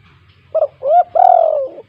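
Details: Spotted dove calling keenly in 'kuk 2' style, a lure for doves that call little: a short doubled note, a swelling rising coo, then a long steady coo that sinks and fades into a soft closing note.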